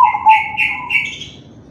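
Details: Crossbred zebra dove, kalung tempuk type, cooing to lure other doves into singing: a low mellow coo overlapped by three buzzy higher notes in quick succession, then fading.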